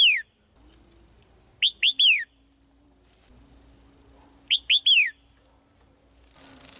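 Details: A caged female bird sings to attract the male with ringing three-note whistled phrases, each note falling in pitch. Two full phrases follow the tail of an earlier one, with a burst of hiss at the end.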